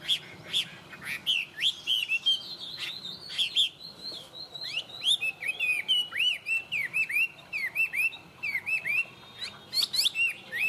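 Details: Chinese hwamei, a tame caged bird that sings well, delivering a long energetic medley: sharp chips, a drawn-out wavering whistle, then a rapid sequence of up-and-down slurred notes repeated over and over without pause.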